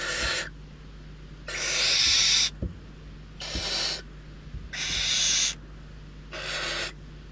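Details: Hungry barn owl chicks at a nest in Riet Vell reserve, Ebro Delta, Spain, beg with harsh, rasping hisses after days of scarcity, competing for prey: five bursts of half a second to a second, about every second and a half, over a low steady hum.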